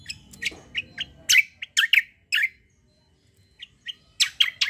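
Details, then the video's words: Kecial kombo, a white-eye, singing energetically: sharp high chirps and short twittering bursts in uneven groups, with a brief pause midway before rapid chips resume. "KECIAL KOMBO CUCAK KOMBO FIGHTER GACOOR"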